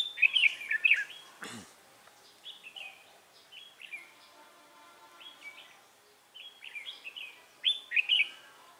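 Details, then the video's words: Red-whiskered bulbul decoy bird, trapping session on 3 November 2018, singing its fighting song: loud clusters of liquid whistled, slurred notes with softer phrases between them, and one sharp click or knock. "Bẫy chào mào"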